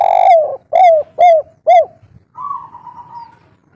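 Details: Local spotted dove with a soft three-note kuk 3 coo, used as a lure to make other doves call back. It starts with a long falling coo, then gives three short arched coos and ends with a long, level, drawn-out note.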